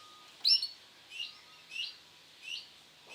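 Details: Male canary of the sunkist colour variety giving short, bright chirps about every 0.7 seconds, with a louder sharp note near the start over a soft background hiss.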